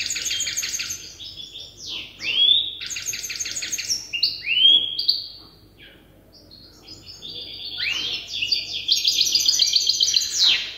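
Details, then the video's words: European goldfinch hybrid youngster memorising song from an older hybrid. Bursts of fast rattling trills alternate with sweeping slurred whistles, a quiet pause midway, then another buzzy rapid-fire twitter returns loudly. "تغريد هجين الحسون لازال في مرحلة الحفظ"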